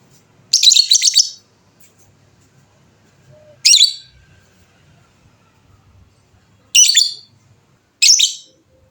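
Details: Fighter lovebird, a hobbyist's bird, in the long 'ngekek' chatter style: four harsh, high, buzzy bursts spaced a few seconds apart. The first is longest, about a second of rapid rasping notes, with quiet gaps between.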